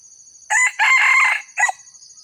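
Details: Red junglefowl crow used to lure wild junglefowl: a loud harsh crow in three parts, a short opening note, a longer rough middle section and a clipped final note, with steady high insect buzzing behind.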